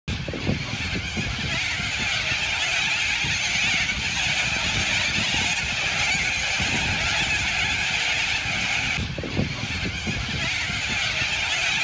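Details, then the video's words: A huge flock of cockatoos that invaded an Australian city, screeching together in a dense, harsh, unbroken wall of noise, with traffic rumble underneath. "A massive flock of cockatoos"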